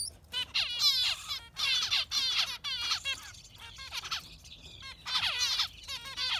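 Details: Yellow finch in full song, pouring out dense runs of quick descending trills and chattering notes almost without pause, phrases rising and falling in loudness over a quiet background.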